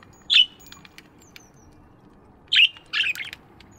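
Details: Morning budgie calls in an aviary: one sharp chirp, a long quiet pause, then a cluster of three quick bright chirps near the end.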